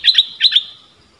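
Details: Streak-eared bulbul singing as a decoy for wild birds in January 2021. Two paired, chirpy double notes trail off into a fading tone.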